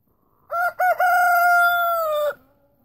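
A rooster gives one loud crow of about two seconds, two short clipped notes then a long sustained strained note that drops off at the end; nothing else heard.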